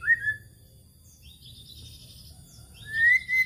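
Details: White-rumped shama lure song meant to provoke other birds: a clear whistled note, then soft higher warbling, and a final long rising whistle.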